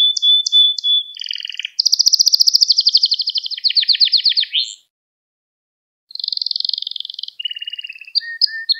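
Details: Domestic canary singing, a recording meant to teach young canaries: short whistled notes, then a long fast rattling trill, a silent gap, and further trill phrases ending in soft whistles.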